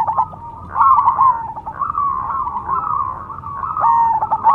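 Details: Zebra dove of the perkutut cemani type pours out an almost unbroken run of quick, rolling coo phrases, with slight swells in loudness and a faint low hum beneath.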